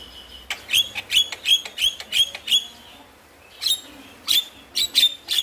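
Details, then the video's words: A stressed, reluctant-to-sing wild-caught Javan myna, used as a lure, gives a quick run of harsh, squawky chirps, about six in two seconds, then a pause and another burst of rasping notes. "Pancingan Burung Jalak Malas Bunyi"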